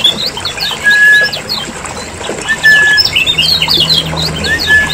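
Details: Lemon-bellied white-eyes of Lombok calling busily in a lure recording meant to make caged birds sing: scattered high chirps and squeaks over several long flat whistled notes, with a low droning hum underneath.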